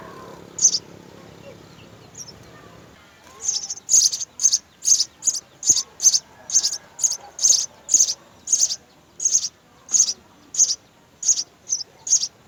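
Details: Three house sparrow nestlings fed at the nest by both parents. After a near-quiet opening with one or two chirps, a steady run of sharp, very high chirps starts, repeated about three times a second.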